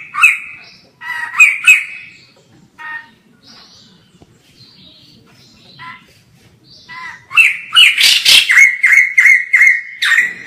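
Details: White-crested laughingthrush heard from a distance: two loud chattering bursts open the stretch, then several seconds of faint, scattered notes, before a dense, rapid, ringing series of harsh repeated calls rises to full volume near the end.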